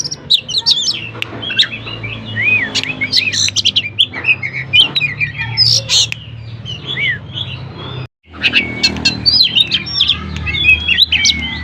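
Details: Oriental magpie-robin singing as a provocation lure for other magpie-robins; fast varied phrases of chirps, trills and looping whistles, a brief silent break around eight seconds, then the lively song resumes over a low hum.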